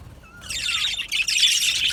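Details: Budgerigar colony: a thin, falling whistle opens, then a burst of dense, buzzy chirping chatter from several birds fills the rest.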